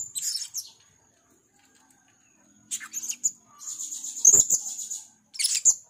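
A blue-crowned hanging parrot gives very high, thin, sibilant bursts, short lisping notes separated by pauses, then a longer hissing, chattering run near the end.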